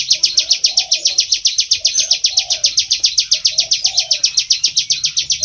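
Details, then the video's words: Bar-winged prinia from rice fields, a recording used to lure the birds: an unbroken, very regular train of rapid, piercing high notes, with faint lower chirping in the background. "suara prenjak sawah || pikat ampuh suara ciblek sawah gacor"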